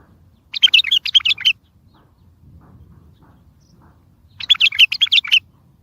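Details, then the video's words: Bulbul singing strongly, meant to set mute birds singing and draw other bulbuls in for trapping: a one-second run of quick bubbly notes, a silent gap of about three seconds, then a matching run. "اصوات بلابل تغريد بلبل قوي ينطق الاخرس كذلك للصيد البلابل الاخرى يجيب البلابل البعيده"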